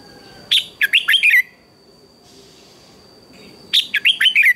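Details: Red-whiskered bulbul's morning contest song, sung to stimulate other birds: two loud phrases of about five rapid, slurred whistled notes, each lasting under a second, separated by a quiet gap with a faint steady high tone.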